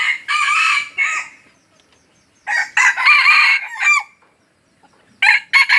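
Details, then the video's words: Aceh decoy junglefowl delivers repeated loud, grating crows in long bursts separated by short silences, with a further pair of sharp crowing notes at the end. "Ayam Hutan Aceh # Pikat Ori."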